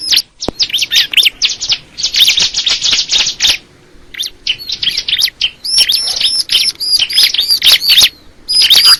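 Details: High, rapid chattering of a crystal ciblek bar-winged prinia: a dense buzzy run in the first half, then spaced sharp chips and thin piercing whistles repeated quickly.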